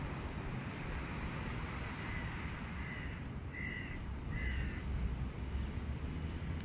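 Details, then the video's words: Hooded crow calls from a pair of adults scared by a dominant crow: four hoarse, drawn-out caws spaced under a second apart, rising slightly in loudness, over heavy steady wind and low rumble. "Босс нагнал страха на пару взрослых ворон / Boss puts some fear into adult crows"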